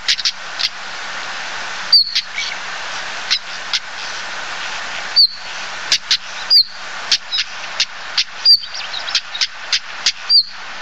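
Common stonechat giving thin, high whistled 'hweet' notes mixed with hard clicking 'tsak' ticks, irregular, several every few seconds, over a steady background hiss.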